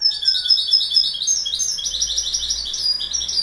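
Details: Goldfinch singing a fast, liquid twittering song of high tinkling notes, the jumbled phrases running on without a pause for the whole stretch.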